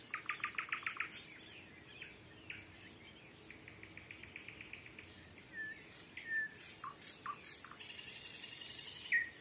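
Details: Nightingale trills at dusk, early June 2023, Volga region, with three birds answering each other in calm air; a fast string of identical clicking pulses, repeated again, followed by whistles and scratchy buzzes.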